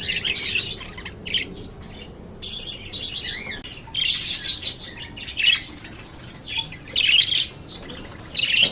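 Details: Lovebirds indoors in a small room, shrill high-pitched chirps and squawks in short bursts with brief pauses between, some wing flapping.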